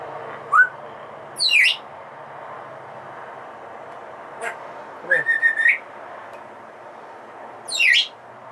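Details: Captive female Congo African grey parrot in a home: scattered, sharply falling high chirps, a brief click-like burst, and a flat buzzy whistle between quiet gaps, with a low room hum beneath.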